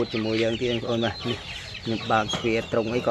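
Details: A tame, caged waterhen raised from a young age and kept as a decoy calls loudly when a hand is held near it. It gives harsh, harmonic croaks in quick bursts, with brief pauses between them.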